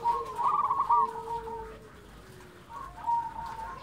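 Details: Local zebra dove cooing: a strong trilled phrase with a lower sustained coo beneath, a quieter lull, then a softer trill resuming.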